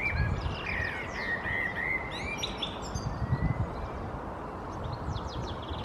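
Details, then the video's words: Common blackbird (Turdus merula) perched in a conifer in Helsinki, Finland, April 2022, singing a mellow, fluty warble ending in a high squeaky twitter, with fainter twittering later over a low wind or traffic rumble. "Blackbird perching in the conifer, singing"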